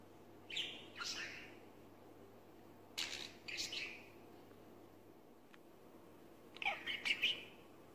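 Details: A pet Budgerigar chatters in short, scratchy bursts of warbling notes while trying to talk, mimicking a few words of speech.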